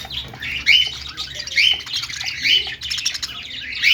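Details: Playful budgies chirping happily, a lively string of sharp, high twittering notes arriving roughly every second, with busy chatter filling the gaps and a faint low background hum.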